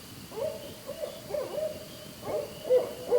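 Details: Barred owl (Strix varia) caterwauling in Central Ontario woods near an off-grid cabin: wild, wavering hoots and cackling whoops around mid pitch, rising and falling in uneven bursts over faint hiss.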